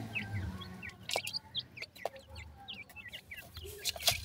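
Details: Several francolin chicks, called dakhni teetar, cheeping together: short high down-slurred peeps repeated rapidly and overlapping, with faint clicks and a low background hum.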